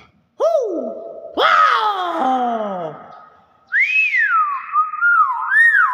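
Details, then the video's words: Common hill myna gives loud, rich whistles in a small room: a sharp falling note, a burst of slurred descending notes, then rising-and-falling whistled phrases. "Suara asli burung BEO"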